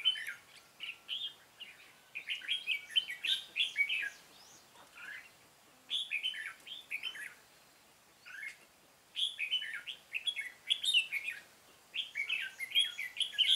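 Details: Decoy Red-whiskered bulbul in a trapping session on 13 March 2017, pouring out fighting song: rapid, bright warbling phrases in bursts of two to three seconds with brief pauses between.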